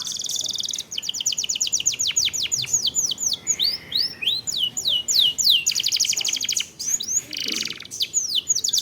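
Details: Canary singing long rolling phrases as lure audio to trigger singing: unbroken rapid trills interleaved with repeated looping downslurred whistles, all high-pitched.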